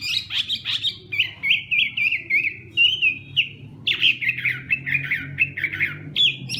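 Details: Hwamei in morning song practice, bursts of rapid chattering notes followed by runs of short, repeated slurred whistles, pausing briefly before another fast series, with low background noise.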